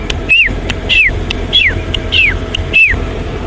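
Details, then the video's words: Black-backed Puffback gives five sharp, downslurred whistled notes, about one every 0.6 seconds, over a low vehicle rumble, during a sunset game drive up a riverbed after rain, Rietspruit Game Reserve, Lowveld, South Africa, 23 March 2024. "That blackback puffback calling again."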